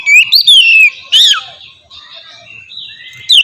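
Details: Short fragment of Oriental magpie-robin ngeplong song, a lure for other magpie-robins; a few long clear whistles sliding downward, one steep rising-falling note, then a quiet stretch ending in a final short whistle.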